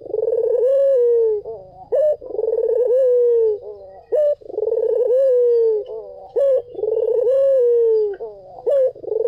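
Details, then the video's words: A white collared dove coos in a clear, mellow phrase: a long soft note sliding down, then short hiccuping notes, repeated about every three seconds. "SUARA PUTER PUTIH || JERNIH 3 DETIK LANGSUNG NYAUT || SUARA BURUNG PUTER MERDU"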